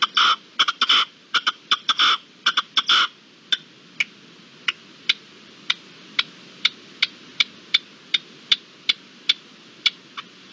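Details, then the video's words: Partridge calling at dusk on 7 April 2022: harsh, scratchy bursts, then sharp, clipped chucks about three times a second in a quiet evening setting. "Reclamo de perdiz al atardecer"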